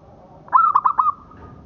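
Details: Local zebra dove (perkutut lokal) song, recorded as a tutor track for training other birds: a quick run of four mellow, rounded cooing notes, evenly spaced and level in pitch, lasting about half a second over a quiet background.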